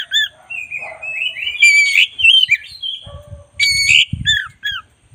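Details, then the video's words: Black-breasted oriental magpie-robin singing prolifically, recorded as a tutoring track for other birds: loud, varied whistled phrases with rich slurred notes, rising and falling sweeps and sharp bright accents, broken by brief pauses, with soft low knocking underneath. "10 menit masteran kacer dada hitam GACOR"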